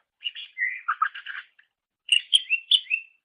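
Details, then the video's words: Greater green leafbird song from a songbird training master recording: a burst of rapid chattering and buzzy notes, then after a short pause four clear rising and falling whistles. "Ocehan Suara Burung Cucak Ijo"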